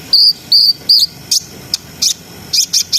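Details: [1, 'Brown-throated sunbird singing in a vigorous ngriwik, ngerol and nembak style, used to raise breeding arousal in an untrained bird. Three sustained high whistled notes, then short sharp chirps at an irregular pace.']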